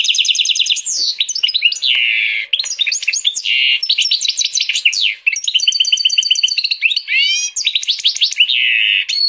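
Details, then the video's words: Energetic song from a canary and European goldfinch cross: unbroken high-pitched twittering with rapid trills, buzzy rattles, swooping whistles and sharp chirps, delivered loudly and almost without pause. "Pintagol de canaria x pintassilgo português canta muito!"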